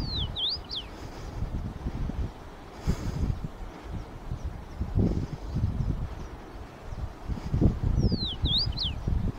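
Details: A male common rosefinch (Carpodacus erythrinus) sings to attract a mate: two short, clear whistled phrases, one at the start and one near the end, with loud low wind rumble throughout.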